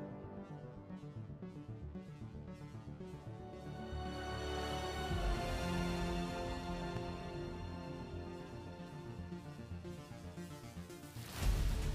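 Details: Dark, dramatic instrumental music with a steady low pulse swells throughout, ending in a loud crash; no animal calls are heard.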